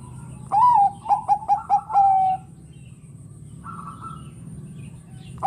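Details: Zebra dove of the Bangkok variety, a caged singer that sets off other doves: an upslurred opening coo, four rapid short notes and a long even closing note, then a faint distant dove and low hum.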